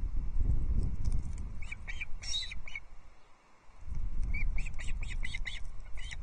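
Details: Ospreys on the Loch Arkaig nest in Scotland, 17 July 2022, all chirping as a third whole fish is delivered. Bursts of quick, high, thin chirps come in rapid series, with heavy wind rumble throughout.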